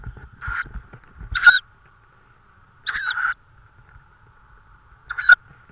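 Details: At a nest in Estonia on a May 2013 evening, a tawny owl with prey gives four short, rough, hissing calls at uneven intervals, with a faint constant hum and some low bumping sounds early on.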